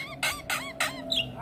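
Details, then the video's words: Javan myna reacting with stress to another myna's call: three loud, harsh, nasal squawks in quick succession, followed by a brief high whistled squeak. "Jalbo Stres Seketika respon dengar panggilan Jalak Kebo"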